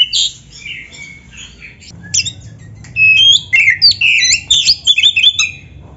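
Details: White-rumped shama in vigorous song: varied whistled slurs and harsh clicks, then dense bursts of jumbled high notes and quick warbling phrases.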